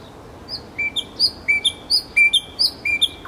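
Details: Nightingale in Kuzminki forest park, Moscow, repeating a clear phrase: a level whistle followed by a higher two-note flick, roughly every third of a second, bright and regular.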